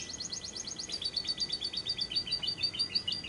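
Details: Lovebird in a lure recording for prompting lovebirds to sing day or night, delivering a long, rapid, high-pitched trill of rattling notes that stays steady throughout.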